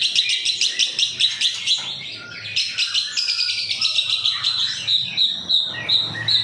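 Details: Long-tailed shrike lure song: dense, high-pitched twittering with rapid trills, then clear repeated whistled notes, in a fairly clean recording.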